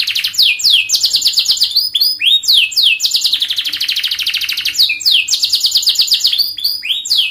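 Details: Canary song used as a lure to get young canaries to answer and learn to sing: long, fast, dense high trills alternating with quick downward-sweeping whistled notes, rapid rolling phrases repeated without pause.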